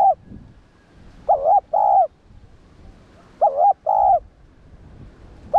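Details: Spotted dove coo used to train and excite captive doves: two-note phrases, a quavering coo followed by a level one, given twice about two seconds apart over a soft rustling background.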